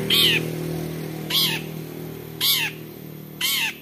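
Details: A vocal long-tailed shrike gives four harsh, ringing "toet toet" notes about one second apart, each sliding downward, over a low steady hum; used as a lure call to prompt other shrikes to sing.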